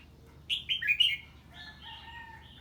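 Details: Ché song of a red-whiskered bulbul responding to an unfamiliar bird: one fast tumbling phrase of four descending warbled notes, followed by softer, drawn-out whistled tones.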